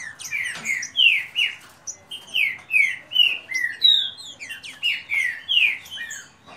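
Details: Competing green-winged saltators belong to one keeper and sing in a rapid dispute, giving steady pulses of rich falling whistles, each about half a second long, with birds overlapping.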